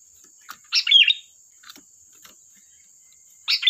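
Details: Lively sooty-headed bulbul song played as a lure, one rich chattering phrase followed by a few soft ticks and another phrase beginning, with a thin continuous whine in the background.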